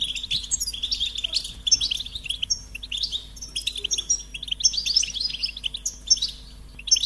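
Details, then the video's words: Goldfinch singing a rapid, twittering song of bright chirps and short trills, dense phrases with brief pauses, steady low hum beneath. "Experience the Goldfinch Singing"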